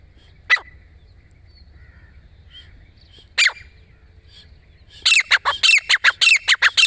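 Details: Grey francolin: two isolated harsh notes, then a fast rhythmic run of loud, shrill, grating calls in the final seconds.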